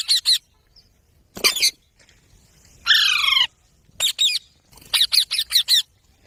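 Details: Parrot, a green pet bird, giving short harsh screeches in bursts with one longer wavering squawk in between; quiet gaps separate the calls.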